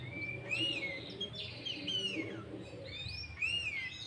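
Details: Sooty-headed bulbul lure song, played to attract wild bulbuls and make rivals call back, with green leafbird-type fill: bright rising-falling whistled notes and quick upward slurs in two bursts, fairly faint, with steady low rumbling noise behind.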